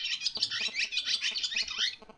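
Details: Barn Swallow song: a fast, unbroken twittering chatter of high squeaky notes, with brief dry rattling bits mixed in.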